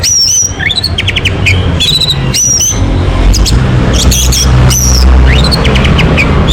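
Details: Orange-headed thrush song as a lure for a bird to sing: loud high whistles that rise then hold, mixed with fast clicking chirp series, repeated through the clip over a deep steady hum.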